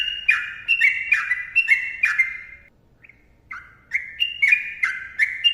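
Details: Energetic yellow-vented bulbul lure song: a run of rapid, fluty two-note whistles, a pause of about a second, then another lively string of bubbly, slurred notes.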